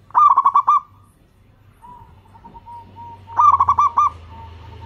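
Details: Local perkutut, or zebra dove, giving calls meant to set other doves calling: two quick staccato bursts of cooing notes separated by a soft, drawn-out lower murmur.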